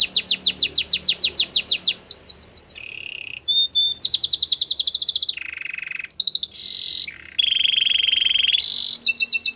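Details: Canary song of many tours: repeated falling whistles, short high runs, low rolling trills and bright rapid buzzes strung together in a continuous varied performance.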